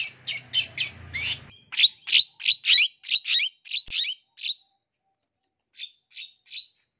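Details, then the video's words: Long-tailed shrike song full of imitations, used to provoke young wild-caught birds; quick run of harsh high notes, then a steady series of sharp chirps about three per second, a pause, and three final chirps. "COBA PANCING SUARA CENDET FULL ISIAN INI PASTI CEPAT RESPON"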